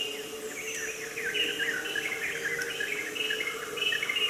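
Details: A racket-tailed drongo gives cacophonous, jumbled harsh and whistled notes, fast and uneven, over a steady insect hum in an actively restored rainforest fragment where pioneer species are closing the canopy.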